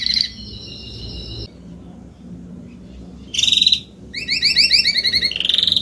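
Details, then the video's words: Spanish Timbrado canary, an adult of salsa colour finishing its molt, sings a short steady trill, falls silent for about two seconds, then resumes with a burst, a quick series of chopped rising notes and a rolling trill. "CANTO CANÁRIO SALSA ESPANHOL/ESPANHOLINHA"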